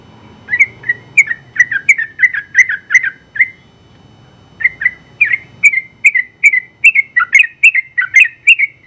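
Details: Champion sooty-headed bulbul in steady 'gacor' form, delivering a long 'ropel' run of fast bubbly chirps, a burst of about fifteen notes, a one-second pause, then another dense string of twisting whistled notes; faint low background hum early on.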